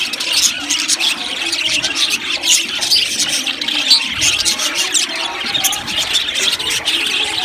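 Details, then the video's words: Colony of budgerigars chattering in an aviary: a dense stream of high, squeaky chirps and short warbled notes, rising and falling in loudness. "Amazing Budgies chirping sounds | Budgies parakeets sounds"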